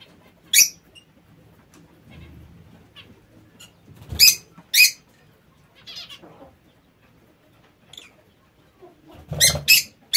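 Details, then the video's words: Aviary lovebirds giving sharp, shrill single screeches spaced several seconds apart, with a quick double screech at the end; soft rustling and low background noise in the gaps. "Inseparabili pappagalli🦜 meravigliosi"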